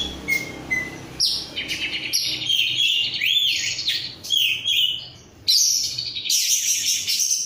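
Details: Oriental magpie-robin (kacer), an untrained 'rudal korea' bird kept by Indonesian songbird hobbyists, singing energetically: a rich, varied run of high whistles, sweeping slurs and buzzy trills, with brief pauses between bursts.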